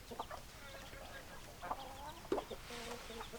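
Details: Hens clucking in a group, soft low clucks and a few sharper calls, several birds overlapping at moderate volume.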